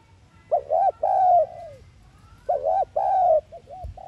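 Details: Spotted dove decoy cooing, in the thúc gù style, used as a lure to stir wild doves: two clear mid-pitched phrases, each a quick double coo then a long drawn-out note falling at the end, followed by short soft coos.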